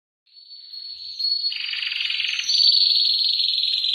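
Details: Male canary in breeding condition, singing intensely while preparing to mate: after a brief silence a thin high trill begins, turns into a buzzy rolling section, then settles into a fast, steady, bright trill at about 214 pulses a minute.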